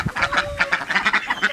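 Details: Domestic ducks being let out of their pen, squeezing past a kitten in the way, utter a quick run of short, nasal quacks, about six in under two seconds, with a faint steady tone behind them.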